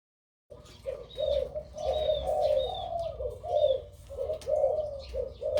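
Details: Crossbred dove with a big voice singing in the two-to-three 'kuk' karam style: a steady run of low, rounded coos, each ending in a swelling note, with faint high chirps from other birds above.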